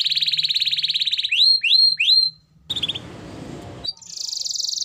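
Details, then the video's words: Gacor canary in full song: a rapid rattling trill, three slurred downward whistles, a burst of harsh broadband noise, then a dense buzzing high trill to the end. "Pancingan Suara Burung Kenari Gacor"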